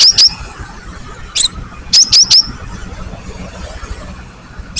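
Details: Great tit notes used to lure other birds into singing: scattered short, high, sharp chips, singly and in pairs, spaced irregularly over about five seconds against a faint low hum.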